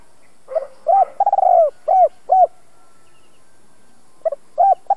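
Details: Spotted dove, a caged decoy bird with a 'hai hậu' voice of the 'giọng đồng' style, used to provoke and train other decoy doves: clear, mellow cooing notes in short bursts, one longer run, then a pause before more coos.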